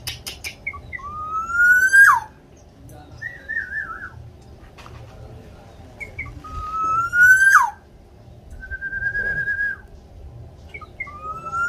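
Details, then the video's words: Javan local black-naped oriole (kepodang) singing actively, giving rich, fluty whistles, long rising slurs and a wavering warble, in phrases every few seconds over a faint low hum. "Kepodang lokal jawa gacor"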